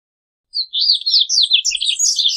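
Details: Corbatita held in an aviary sings a quick, high, warbling run of slurred notes and chirps that climbs in pitch toward the end, in a quiet setting.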